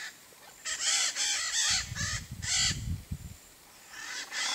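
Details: Blue-and-yellow macaw in a tree of the Brazilian Cerrado, giving a run of loud harsh raspy squawks in quick succession, a pause, then two more grating squawks, over low rumbling background noise.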